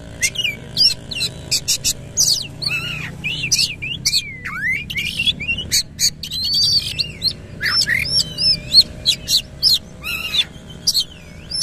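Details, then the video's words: Oriental magpie-robin in full 'gacor' song with its tail open, pouring out a long, varied stream of rapid sharp chips, downward and rising whistles and warbled loops, almost without pause, with faint low hum underneath. "KACER GACOR NEMBAK NGEROL FULL BUKA EKOR"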